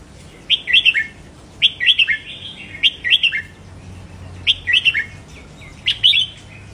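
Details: Red-whiskered bulbul song in the 'double' style, played to stimulate caged birds: four clear bursts of quick warbled, slurred notes, each rising then dropping, about every 1.2 seconds, with quiet low background hum.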